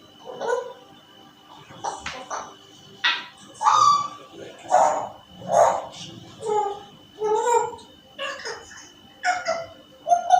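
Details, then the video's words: African grey parrot talking and whistling, imitating sounds: a string of speech-like syllables with voice-like harmonics, some short tonal whistled notes, and pauses of about a second between bursts. "الكاسكو بيقلد الاصوات"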